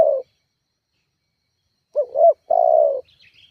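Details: Spotted dove used as a lure to provoke rivals: the tail of a long coo, a pause, then one full phrase of two brief hooting notes and a sustained falling coo, with faint high chirps at the end.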